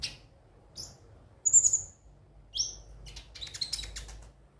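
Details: Sparse, very high notes from a ruby-cheeked sunbird, used to coax birds into song: thin squeaks, a short fluttering trill, a downslurred chirp, then a brief scratchy chatter.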